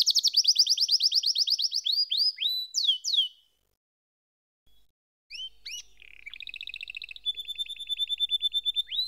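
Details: Rapid high canary trills and swooping slurred notes fill the first three seconds; after a short break, the bird resumes with sweeping chirps, a buzzy rolling trill and a steady, even high tour.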